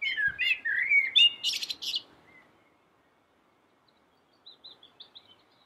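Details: Yellow-billed common blackbird singing sweetly and energetically. Fluty warbles drop and rise, followed by a burst of harsh high twitter. Silence follows, and faint thin notes return later.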